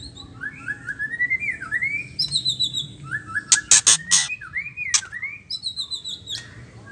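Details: Female white-rumped shama, whose ketrekan call is used to provoke males into full song. Swooping whistled notes rise and fall, broken by a quick cluster of loud harsh rasps midway, then more whistles and a final rasp.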